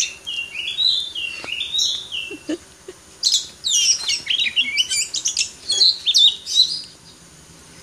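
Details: Champion white-rumped shama let loose to sing: sliding whistles and quick chattering bursts in a varied, fast-changing phrase sequence, loud high notes clustered in the second half.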